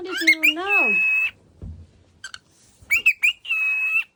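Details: Cockatiel waking up, giving a loud harsh squawk that bends downward, then long flat screeching whistles, a pause with soft low rustling, and a final burst of short chirps and another sustained screech.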